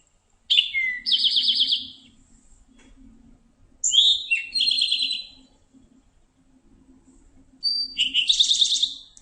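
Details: Eastern towhee (Pipilo erythrophthalmus), song.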